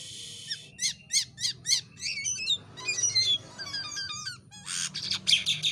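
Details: Jalak kapas (white-shouldered starling) tutor bird in strange, lively song: repeated rising squeaks, tumbling chattering phrases and, near the end, a loud rasping, noisy outburst over faint low hum.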